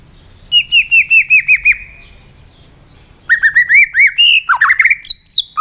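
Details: White-rumped shama in combative singing mood: a run of about eight evenly spaced down-slurred whistles, a pause, then a rapid, varied phrase of whistles and sharp high notes.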